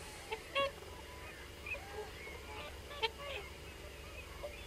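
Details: Many common cranes calling at a distance: scattered short trumpeting notes with stacked overtones, each brief and separated by pauses, over a steady low background rumble.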